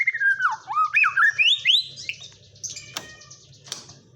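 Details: White-rumped shama song with kapas tembak filling: a rolling, looping whistled phrase sweeping up and down, then higher buzzy notes and two sharp clicks, low hum throughout.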